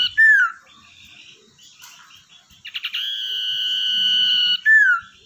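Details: Tamed wild common iora used as a lure, locally cipoh or sirdung ekor hitam: a falling slurred note, quiet twittering, then clipped stutters leading to a long level whistle and another descending slur.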